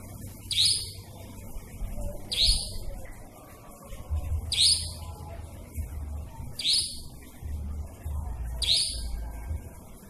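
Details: Nightjar calling at night, a sound described as eerie. Short harsh rasping bursts repeat about every two seconds over a steady low rumble.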